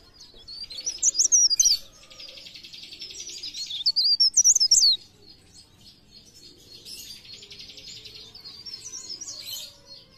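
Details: Sunda warbler giving a blereng gacor song, 'pre pare', meant as a lure to provoke singing: loud, high, rapid zigzag warbles run into long buzzy rattling trills, then a softer trill.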